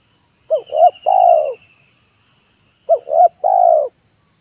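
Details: Afternoon song of a zebra dove, played to lure wild and training doves: two bursts of quick upturned coos followed by a drawn-out descending trill, with a constant high insect drone in the background.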